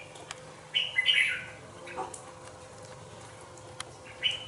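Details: Red-whiskered bulbul, a two-month-old cage bird in a bổi cage, gives a brief fluty warble early on and a single bright note near the end, fairly soft above steady low background hum.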